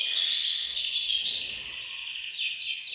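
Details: Chorus of caged canaries in a bird room, singing to encourage males to sing; steady high warbling with quick trills and a few drawn-out whistles, all blended into a continuous wall of song.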